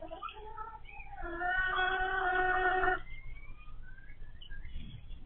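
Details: Hens that turned noisy once they began laying eggs: wavering rising and falling notes build into a loud, sustained, rich wail of nearly two seconds, followed by thin rising whines.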